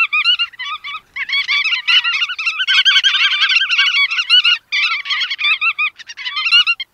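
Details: Bar-tailed godwit giving continuous, rapid nasal chattering notes that overlap in dense, rich-toned runs for about seven seconds, with only brief pauses. No other sounds are present.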